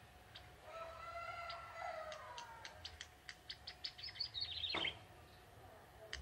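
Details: Young wild male bar-winged prinia from the forest singing vigorously: a run of sharp ticking notes that speeds up into a short, high, descending twitter. A lower drawn-out harmonic call sounds earlier.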